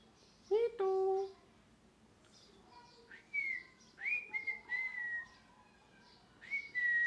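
A parrot gives a short squawk, then a run of clear whistled notes that slide downward, several in quick succession, in a quiet indoor room.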